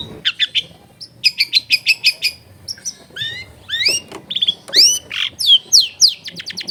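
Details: Long-tailed shrike in lively 'gacor full isian' song, clear-voiced and packed with imitated phrases for training other shrikes: rapid trilled bursts, then sweeping rising and falling whistles in quick succession.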